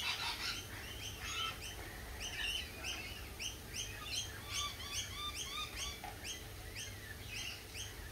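A lorikeet flock chatters in rapid, shrill screeches and squeaky chirps, many overlapping several times a second, over a steady low background rumble.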